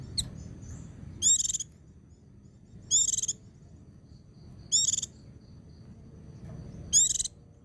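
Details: White-eye singing in the ngecir style joined with ngalas, used to train and stir other white-eyes: four loud, sharp high chirp bursts with ringing overtones, spaced about every two seconds, over a faint low rumble.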